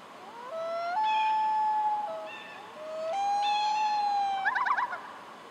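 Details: A common loon at sunrise in summer in the Kawartha Highlands, Ontario, Canada, gives two long, mournful wails, each stepping up from a lower note to a higher held tone, then a brief quavering tremolo in a quiet setting.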